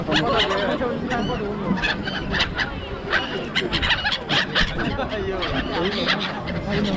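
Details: A crowded flock of gulls at Songdo, Busan, South Korea, with people wondering whether the gulls will eat a hotteok pancake; a constant overlapping din of harsh, squealing mews and yelps over human voices.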